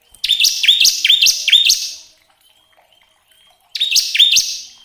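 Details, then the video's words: Bar-winged prinia song used as a lure recording to spur caged birds into singing: a burst of loud, high, down-slurred whistled notes repeated about four times a second, a pause, then another burst. "Nyaut Gacor ngebren pancingan ciblek agar cepat bunyi"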